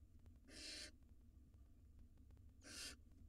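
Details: Barn owl nestlings, wild, inside a nest box while two swallow rodents simultaneously. Two short rasping hiss bursts, about two seconds apart, each noisy and breathy, with a faint steady low hum underneath.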